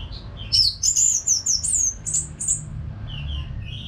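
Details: Orange-headed thrush, Geokichla citrina, from Singaraja in North Bali, singing nonstop to prompt caged birds to sing along. Quick series of high, sweet slurred notes, then softer lower whistles at the end, over a low rumble.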